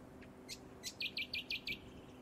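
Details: A Rainbow Bee-eater on the Sunshine Coast, Queensland, in August 2024 gives a couple of thin, higher chips. Then comes a quick run of six or seven short, burry, high trilled notes at about five per second.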